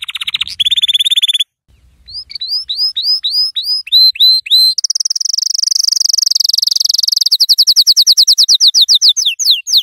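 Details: Tutoring song of a yellow canary: a buzzy trill, a pause, then loud curved whistles about twice a second, followed by a long high roll that breaks into rapid pulsed chirps.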